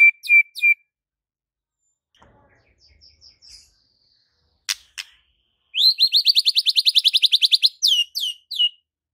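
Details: White-rumped shama singing energetically with a varied repertoire: clear whistled notes, soft scattered chips, a sharp click, then a long rapid trill of high notes ending in a few sweeping whistles.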